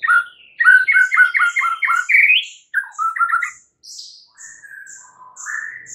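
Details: Morning song of a white-rumped shama: a quick series of repeated, evenly spaced chirping notes, then shorter grouped notes and soft sliding whistles, with thin high notes above.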